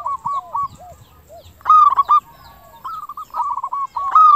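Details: Zebra doves of a local strain, sung as a lure to draw replies from other doves. Faint rolling coo phrases open. A loud bubbling phrase follows, then more overlapping coos from two birds.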